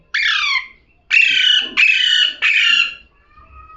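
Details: Parrot said to be talking: four loud, harsh, harmonic squawks, the first alone, then three close together, with gaps between each.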